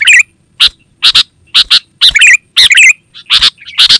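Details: Sooty-headed bulbul (kutilang), a lively call used to lure wild forest birds and to train home birds: harsh, buzzy chattering bursts about twice a second, mixed with short warbled phrases, over a faint steady high whine.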